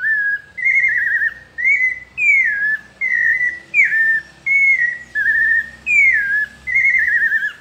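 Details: Pale-breasted thrush, a São Paulo type singer, delivering a melodious song: a steady series of clear whistled phrases, some sliding down, some warbled or trilled, each about half a second long with short pauses between.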